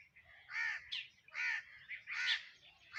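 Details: While eating, sparrows chirp in a fast, uneven run of harsh, buzzy notes, more than one per second, loud and close.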